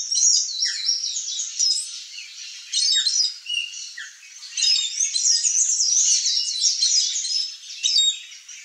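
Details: Male and female Blue Dacnis sharing fruit with bees, giving rapid high-pitched twitters and chips in long dense runs, broken by a few short pauses and occasional clear downward-slurred notes.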